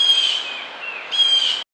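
A jay gives two harsh, buzzy calls rich in harmonics, each about half a second long with a brief gap between, high-pitched and nasal.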